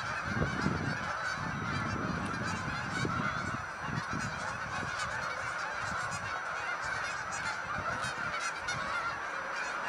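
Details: Large flock of Canada geese, hundreds strong, lifting off together; steady chorus of overlapping honks with low rumbling wing and wind noise in the first half.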